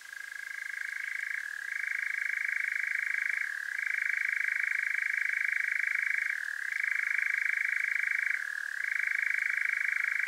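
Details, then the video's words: A European nightjar (Caprimulgus europaeus) churring at night in Devon, south-west UK, recorded with a parabolic mic: one unbroken, dry, mechanical trill, dipping briefly in pitch every two to three seconds, with no other sounds. "Nightjar Churring"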